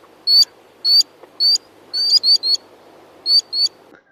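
Common sandpiper giving high, thin, piping whistles, singly and in quick pairs or triplets, about eight notes in four seconds over a low background hum.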